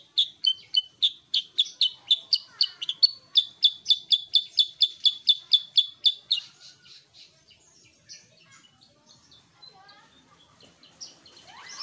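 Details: Sooty-headed bulbul in full voice: a fast, even run of about thirty high, clipped chirps over six seconds, each split into a higher and lower tone, then fading into softer scattered twitters and faint chirps.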